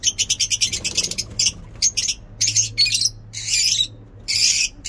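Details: Lovebird ngekek singing in a mini zoo, morning: a quick series of sharp chirps leading into longer harsh, squawking chatter bursts with short gaps, above a low droning hum.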